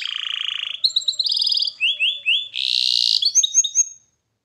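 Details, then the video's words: Canary song in fast rolling tours: a buzzy trill, quick repeated chips, sweeping whistled slurs, then a dense rattle and bright rising notes, all high-pitched and continuous. "Canary Singing Birds Sounds at its best Melodies Canary Bird song"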